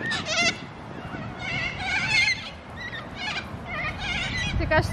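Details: Cockatoos in Australia, where they are as common as pigeons, give harsh, raspy, bleating squawks in short bursts, roughly one every second, from several birds calling over each other.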